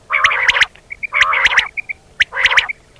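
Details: Quail calling in Pakistan, a recording meant for hunting by netting: three rough, buzzy bursts, each followed by faint short paired notes.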